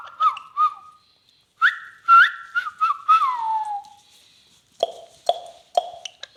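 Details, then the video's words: Talking parrot giving clear whistled notes: a level tone wavering near its end, two short notes, then rising and stepping phrases sliding downward, followed by a few lower buzzy bursts mixed with sharp clicks. "talking heavan beutyfull beutyfull parrot"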